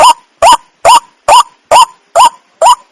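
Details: A wak wak, the white-breasted waterhen, calls seven times in quick succession: strident, honking notes with an upward twist, evenly spaced a little under half a second apart against a silent background.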